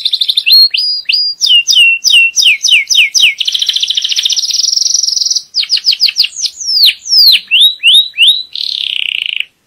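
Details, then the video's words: Captive canary at a breeding aviary, singing to teach young birds and ready the female for breeding: loud, varied song of rapid trills, repeated swooping whistles, a long buzzy roll and descending slurred notes, with no background noise. "تغريد كناري نار لتعليم صغار وجهوزية الأنثى"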